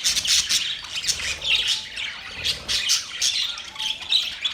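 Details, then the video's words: Several budgerigars chirping and chattering together in a mating display: dense, scratchy, high warbling chatter with sharp squawks rising and falling in bursts about once a second, with no pause across the whole stretch. "Budgies matting sounds Parrot chirping sounds Parrot talking together"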